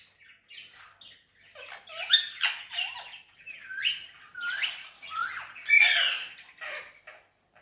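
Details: Pet Indian ringneck parakeet chattering and whistling: a continuous run of short rising and falling squeaky notes and upslurred whistles, growing louder toward a harsh screech near the end.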